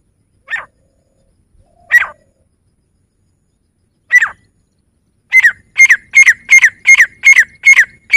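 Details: Grey francolin calling: three separate harsh, loud notes spaced over the first four seconds, then a fast run of about eight ringing, emphatic notes in quick succession, clean with no background sounds.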